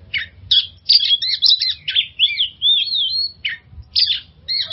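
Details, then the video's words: Oriental magpie-robin lure song for stressed birds: clear whistled phrases with slurred ups and downs, a sustained wavering warble in the middle, then short sharp chirps after a brief pause; quiet background. "suara pancingan burung kacer untuk mengatasi stress"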